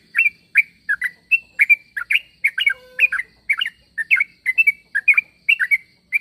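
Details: Sooty-headed bulbul calling so that other bulbuls reply: a steady run of quick, liquid chirps, mostly in pairs, several per second, with one faint low whistle in the middle.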